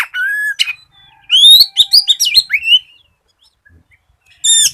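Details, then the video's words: White-rumped shama song used to coax other shamas into singing: a long whistle, then a lively run of high, looping notes, a quiet pause, and another sharp phrase. "SIULAN KACER GACOR COCOK BUAT PANCINGAN KACER BAHAN"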